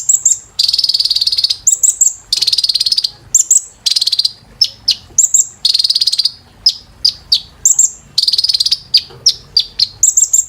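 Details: Training song of kolibri ninja, Van Hasselt's sunbird, played to caged songbirds: piercing high-pitched thin whistles, short dry chips and repeated rapid rattling trills in tight bursts, delivered energetically without pause.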